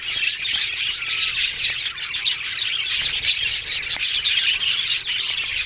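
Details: Loud, dense chorus from a colony of Australian budgies in an aviary: shrill chirps, thin whistled notes and buzzy warbles tumbling together without gaps.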